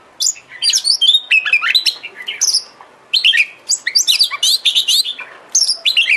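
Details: Kacer (Oriental magpie-robin) bait song meant to set a kacer singing and fanning its tail. Shrill twitters and swooping whistles come in dense clusters, with one brief pause midway before the rapid phrases resume.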